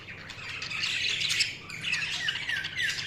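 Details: Budgerigars chirping in a steady, busy warble with buzzy scratchy notes, and a few clear rising whistled squeaks in the second half.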